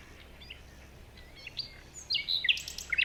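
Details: Morning forest birdsong: faint scattered high chirps, then louder sharp, quick tweets and twitters in the final second over a soft background hiss.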